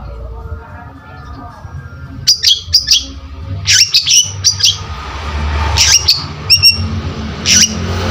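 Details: Long-tailed shrike (cendet) singing actively for luring: after a quiet opening, clusters of sharp high chirps and short squeaky notes arrive in bursts, over a soft low background hum.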